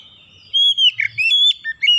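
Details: Oriental magpie-robin song used as a lure to get other birds singing: loud whistled notes around mid-high pitch, a long flat whistle then slurred rising and falling phrases separated by short pauses, faint low hum beneath.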